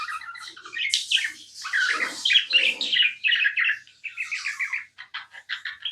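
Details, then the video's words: A pet budgerigar chirps without stopping, mixing a rapid string of small clicking notes with harsh, grating warbles, and ends with quick stuttering pips. "Non stop budgie chirping sounds"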